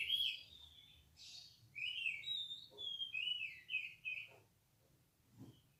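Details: Singing orange-headed thrush, Indonesia, in persistent 'ngeplong' mode: a chain of clear, quick, slurred whistles rising and falling, fading into soft ticks and silence near the end.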